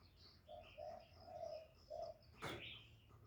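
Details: Spotted dove kept as a decoy bird to lure wild doves, giving four soft, low, hollow coo notes in a row, followed by a sharp knock, with thin chirps of other small birds above.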